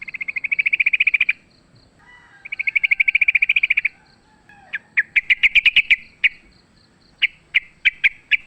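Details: Wild sooty-headed bulbul in fighting mode, offered as a lure: two fast buzzy trills over a second long each, then a series of sharp chirps spaced irregularly.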